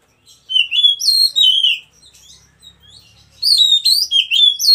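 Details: Oriental magpie-robin, white-breasted type, kept at a breeding farm, delivering two strong bursts of sweet, fast-warbled whistles with varied up-and-down slurs and a quiet gap between them.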